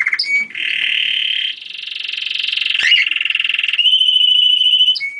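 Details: A German crested canary delivers continuous rolling trills that shift from a dense buzzy tour into a faster pulsed rattle, ending with a clear, high sustained whistle and a brief chirp.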